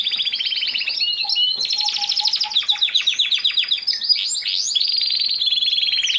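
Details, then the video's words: Canary in full song, steady rapid trills and rattling tours changing pitch every second or so, with soft lower piping notes repeated in the middle. "Canary Singing | The Best singing Canary ever"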